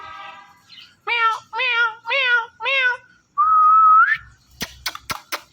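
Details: Pair of ringneck parrots, male and female, calling while mating before a mirror: four loud arched harmonic notes spaced about half a second apart, then a long steady whistle bending upward at its end, then sharp clicks.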